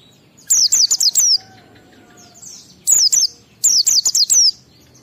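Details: Oriental white-eye delivering 12345-beat ngalas song meant to coax kept birds into singing; three loud bursts of four to six high, rapid, downward-slurred whistled notes, spaced over a second apart.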